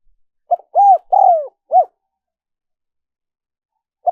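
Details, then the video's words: Lure recording of a spotted dove: a single four-part coo phrase, short lead note, rounded coo, long sliding coo and clipped ending coo, then silence before another phrase begins at the very end. "Tiếng chim cu gáy mp3 dùng kích bổi hiệu quả nhất"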